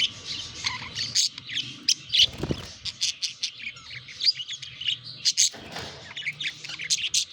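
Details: Courting pet budgerigars chattering continuously in quick, buzzy, high-pitched warbles and chirps, with a couple of brief rustling thumps.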